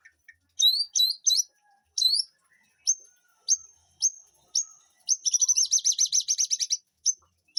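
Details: White-rumped shama singing in a garden aviary behind a house: loud clear whistled notes, several short upslurred phrases, then a fast rattling trill of about fifteen notes near the end, over a quiet background.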